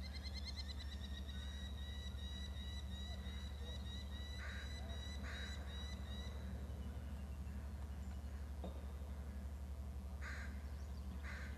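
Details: Eagle calling at the nest, where one bird has brought in a fish: a quick run of high, piping squeals opens the recording, then sharp broadband clatters, perhaps wing flaps, over a constant low rumbling background.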